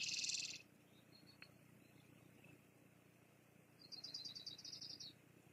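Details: Bald eagle pair at the Fraser Point nest, 2022 live cam, female chasing the male off after his fish delivery. An opening shrill burst, then a rapid run of a dozen thin, high chittering notes over roughly a second, over steady background hiss.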